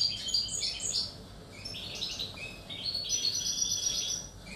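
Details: Song of the European goldfinch, 1 July 2018: rapid, jumbled high-pitched twitters and tinkling trills delivered almost without pause, interspersed with brief nasal buzzes, against faint low background noise.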